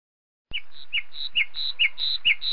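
Northern lapwing calling in quick two-part phrases: a slurred, falling note, then a thin, higher, level one, repeated about twice a second over a low background hum.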